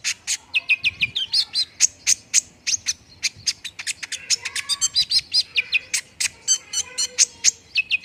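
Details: Lure recording of olive-backed sunbird meant to prompt quick, steady singing: a dense, fast series of sharp high chips mixed with short down-sliding whistled notes, with several strokes every second throughout.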